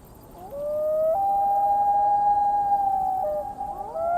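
A Common Loon's long, mournful wail: a low note that jumps up and holds steady for nearly three seconds, then breaks and rises again, over a quiet background.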